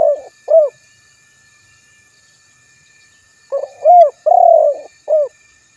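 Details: Spotted dove luring call aimed at rivals: two short coos, a pause, then a full phrase of arched coos, a longer buzzy coo and a final short note; steady faint insect hum.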